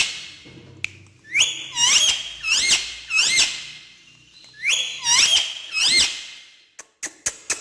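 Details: Talking parrot jumping on a stair indoors: a series of loud, grating, rising-then-falling squawks in two groups of about four, followed by sharp clicks.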